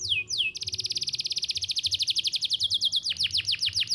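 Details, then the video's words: Canary song, chirped to prompt young canaries to learn singing: two sweeping opening notes, then a loud rapid trill of repeated high chirps, slowing slightly into broader downslurred notes. "Kenari Gacor Cuit-cuit Efektif Buat Pancingan Kenari Paud Belajar Bunyi"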